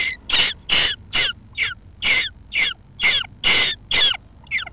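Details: Harsh, breathy rasps from jackdaws nesting beneath a roof, a steady string of about nine bursts in under five seconds, each with a slightly falling tone.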